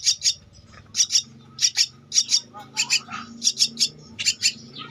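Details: Javan myna nestling, two weeks old, begging during feeding with paired raspy, noisy chirps repeated about twice a second, each burst short and harsh.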